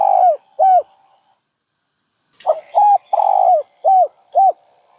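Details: Dove cooing: two arched, hollow coos, a pause of about a second and a half, then a phrase of five rounded coos, one drawn out longer in the middle, in a quiet setting.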